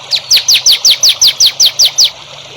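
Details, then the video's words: Master song for training young songbirds: a rapid, even run of ten high, falling, whistled notes, each crisp and separate, over low steady hiss. "MASTERAN BURUNG HANDAL UNTUK CALON BURUNG JAWARA"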